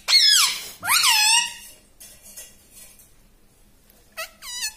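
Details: Pet parrot that speaks like a person gives two long, loud, grating syllables that fall in pitch, a quiet gap, then two short, higher, sharper notes.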